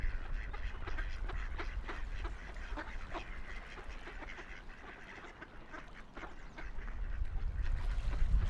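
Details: Busy chorus of ducks quacking rapidly and irregularly on a quiet river, partly masked by a strong low roar of flowing water that rises near the end.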